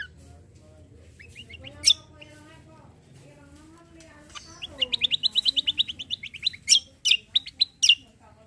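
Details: Greater green leafbird singing full 'tembakan besetan' style to prompt untrained birds: after a murmured, low-pitched stretch, a rapid burst of a dozen evenly spaced high chattering notes, then several loud, sharp chirps and downslurred whistles.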